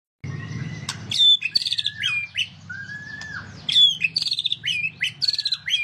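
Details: White-rumped shama (murai batu) singing a varied, energetic song: rich whistled phrases, slurred rising and falling notes and sharp clicks, with a long flat whistle near the middle and low background hum.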